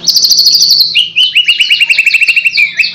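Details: White-rumped shama delivering a quick run of high chirps that drops into a rapid string of repeated, clipped lower notes, lively and rhythmic.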